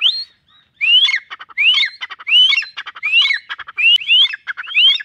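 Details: Trained desi partridge (teetar) sitting under a tree amid green scenery, calling when its owner blows a whistle: loud rising whistled notes repeated about once a second, each followed by rapid clicking chatter.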